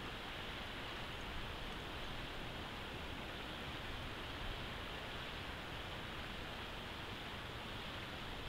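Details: Even hiss and rushing noise, like wind or distant water, runs unbroken with no animal sounds.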